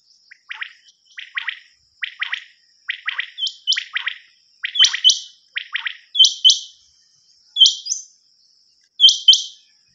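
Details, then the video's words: Quail cassette recording of a common quail: short triple-beat chirping phrases at first, then shriller high double notes spaced every second or so, against a thin steady electronic-sounding whine. "نیوبٹیر کی کیسٹ اوریجنل وڈیو"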